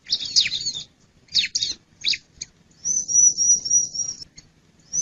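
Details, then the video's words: Male bar-winged prinia with a few high, sharp downslurred chirps, followed by a long thin high-pitched trill. "Suara panggil burung ciblek jantan"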